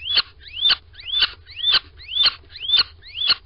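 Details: Little owl piping at the nest box, Sprundel, morning of 13 February 2020: seven clear upslurred squeaks, each ending in a hard tick, repeated about twice a second.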